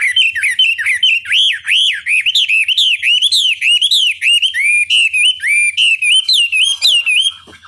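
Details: Chinese hwamei singing, a master recording meant to provoke rivals into replying: rich, continuous whistled phrases of swooping, looping notes, each about half a second long, delivered without pause at steady high volume.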